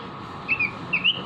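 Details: Brief snatch of a caged robin's song from a training recording: two quick pairs of clear whistled notes, each sliding between pitches, separated by a short gap over a faint hum.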